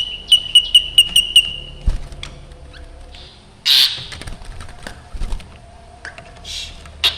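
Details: Black drongo calling actively: a quick series of six clear, even whistled notes, then scattered clicks, short harsh notes and two rasping bursts later on.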